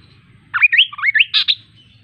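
A kaso kaso bird sings one quick, sweet phrase of about a second: looping, up-and-down whistled notes that end in two brighter chirps. The background is quiet.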